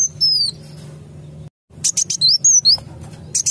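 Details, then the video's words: Sunbird lure call, known locally as kolibri wulung, used to attract birds for trapping: thin high chirps and short sliding whistles, a brief silent break, then a quick burst of sharp ticks and rising-falling notes. "SUARA PIKAT BURUNG KOLIBRI WULUNG"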